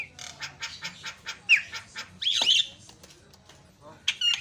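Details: Javan myna song used to rouse other mynas: a string of quick scratchy chattering notes, a burst of loud harsh squawking, then a short high whistle.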